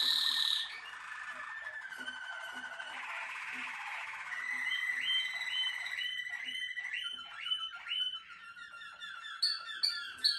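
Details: Extended Malinois Waterslager canary song: a high whistle, a long churring roll, then a run of rising clucking notes stepping downward in pitch, ending with sharp high pips.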